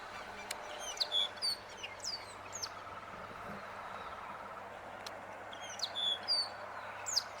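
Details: Greyish baywing: a few clear, high whistled notes in two short bursts, some sliding down, set against a steady broad hiss of background noise.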